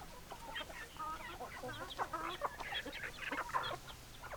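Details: Several hens clucking together, with a dense overlapping chatter of short nasal clucks and brief rising squawks throughout and a faint hiss in the background.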